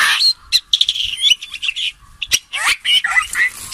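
Common green magpie giving loud, varied calls: harsh chattering bursts mixed with sharp whistles and rasping notes in quick, irregular succession.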